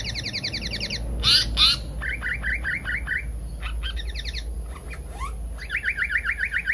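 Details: Pied fantail (seriwang, tali pocong) lure call: rapid runs of short rising squeaky notes, roughly three or four per second, broken by loud harsh chacks and a sweeping upslurred note. A constant high hiss runs throughout.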